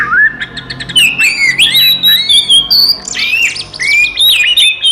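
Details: Oriental magpie-robin fighting song for provoking other magpie-robins: a rising whistled opening, then clear sliding whistles punctuated by harsh, buzzy squawks and clicks, in bursts with short gaps.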